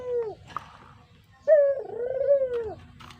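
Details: Kept brown Barbary dove, call offered as a lure: a short falling coo, a quiet gap, then a long mellow coo swelling and sliding gently down at the end, low murmur behind.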